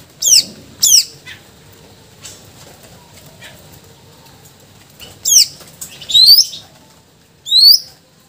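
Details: A Greater green leafbird in full song gives loud, sharp whistled phrases: quick downward sweeps and bright rising notes, in short bursts separated by pauses, over a quiet background.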